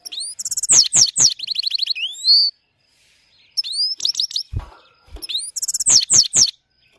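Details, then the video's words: Goldfinch ("Maike" Himalayan goldfinch) singing two bursts of bright, rapid twittering with tinkling notes, a buzzy trill and upslurred whistles, with a couple of soft knocks between phrases. "gold finch singing"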